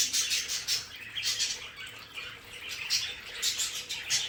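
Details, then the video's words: Several pet budgerigars in their home play area give dense, scratchy high chatter in overlapping bursts, rising and falling in loudness with brief quieter gaps. "Sonidos de periquitos Australianos"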